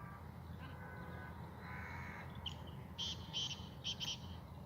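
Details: A tame captive Sindhi black francolin gives a harsh, grating series of four or five clipped, scratchy notes in quick succession, over a steady low rumble of wind.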